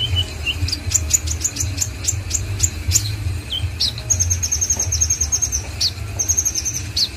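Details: Konin in full song in Indonesia: a string of sharp, high chirps opens into two even, rapid trills, broken by brief slurred whistles, over a low background hum.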